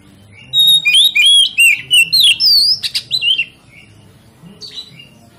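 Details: Oriental magpie-robin (kacer), its song played to trigger other magpie-robins into full singing: a rapid, loud outpouring of clear whistles, upslurs and harsh chips for nearly three seconds, followed by quiet and one brief soft phrase.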